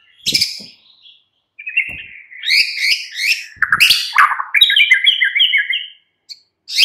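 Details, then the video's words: White-rumped shama, a captive bird, afternoon song used to provoke another bird into singing: varied whistled phrases mixing rising notes, buzzy bursts and a trill of repeated descending notes, with brief pauses between phrases. "Pancingan MURAI BATU Sore PETANG Otomatis jadikan Murai NYAUT GACOR"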